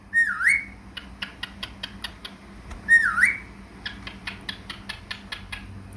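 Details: Indoor pet cockatiel chattering and singing, kept with budgies: two loud swooping whistles, each dipping then rising, about three seconds apart, with soft rhythmic clicking between them.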